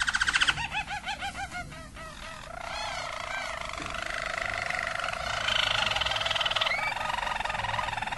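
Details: A Harz Roller canary sings a classic song: quick looping notes, then a long, smooth, low rolling trill.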